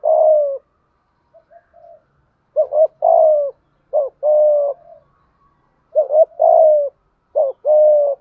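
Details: Spotted dove, a decoy bird, in 'thúc gù' cooing for training reluctant or newly caught doves; a long coo, soft quiet notes, then four loud phrases of a stuttered rising double note and sustained hollow coo.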